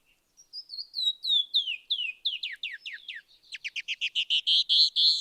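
Canyon Wrens duet: a cascade of clear, whistled notes tumbling down the scale, then a fast series of harsher, buzzy notes to finish.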